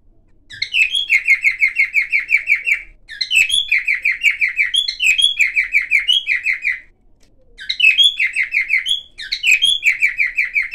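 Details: A silver cockatiel sings varied sounds in four quick warbling runs of repeated chirpy notes, each run starting with a sharp high twitter and falling into a steady rattle of similar syllables, with short pauses between runs.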